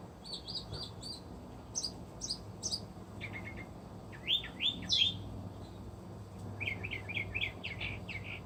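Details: Resident northern mockingbird serenading outdoors at an animal refuge, delivering a varied array of sounds: rapid repeated high chirps, then lower buzzy notes and clear whistled slurs, each phrase given two to four times, steady background hiss.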